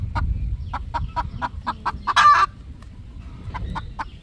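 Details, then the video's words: On a poultry farm at sunset, three roosters relax while uttering quick clucks at a steady pace, punctuated by one loud raspy outburst, followed by quieter, spaced clucking. "roosters relaxing time/3 roosters relaxing 😌 in evening sunset"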